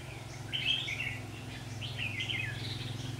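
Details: Red-whiskered bulbul during trapping on 27 September 2019, birds fighting; two quick warbled phrases of bubbly rising and falling notes over a strong, steady low hum.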